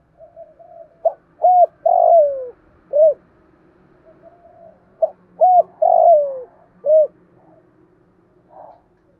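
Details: Decoy spotted dove in 'thổ' voice, used to lure wild birds: two repeated coo phrases of clipped notes, an arched coo, a long falling rough coo and a rounded close, over a low steady background hum.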